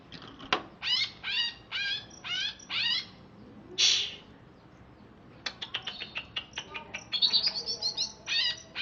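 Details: Greater green leafbird, a caged bird of wild origin from Alas Purwo, Banyuwangi, singing right after a bath: a run of loud, buzzy, harmonic rising notes, each about a third of a second long, then a harsh burst and quick high chips.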